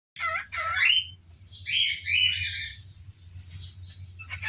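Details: Pet parrot at home calling out "mother" in the morning with a still-hoarse voice: rough, raspy speech-like syllables in a few short phrases, over a steady low hum.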